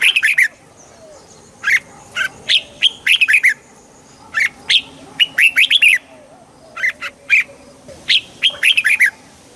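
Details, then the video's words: Red-whiskered bulbul recorded clearly, played to make caged birds lively: short, bright, warbling phrases of four or five rich whistled notes, repeated every second or two, with a faint steady high whine behind. "เสียงนกกรงหัวจุก ชัด 100% เปิดต่อ ให้นกคึก"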